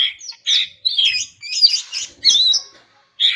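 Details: Female greater green leafbird calling to males: loud, harsh, rasping phrases mixed with sweeter high whistles, delivered in four dense bursts separated by short gaps.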